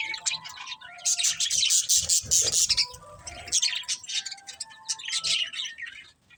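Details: Budgerigars chirping rapidly, a loud stretch of fast, harsh high chirps followed by softer warbling with brief whistled tones.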